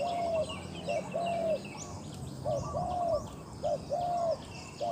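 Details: Decoy spotted dove, caged and prized for its big voice, used to lure wild doves, utters a hollow long coo, then repeated short-long coo pairs in a steady cadence. Background birds and insects are faint.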